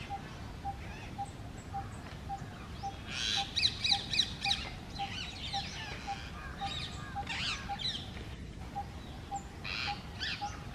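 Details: Rose-ringed parakeets squabbling for dominance on a grain-filled bird feeder, a female among them. Loud grating screeches cluster in rapid bursts, strongest around the middle, over a regular soft beeping tone and constant low rumble.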